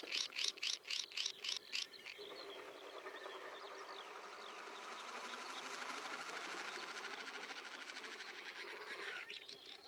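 Swinhoe's Snipe gives a quick run of harsh, rasping pulses, about four a second, then a long, steady, buzzing rush.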